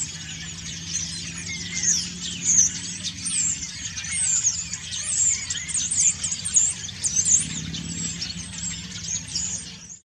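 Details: Autumn song of a common starling while preening: rapid sequence of sharp clicks, squeaks and thin whistles, some short slurred notes, continuous over ten seconds, low hum in the background.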